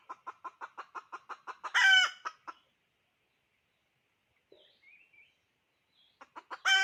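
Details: Hen chicken, a decoy hen, calling: a quick run of about ten short, even clucks, then a loud, harsh, drawn-out squawk and a few more clucks. After a near-silent pause with faint chirps, the clip ends on another loud squawk.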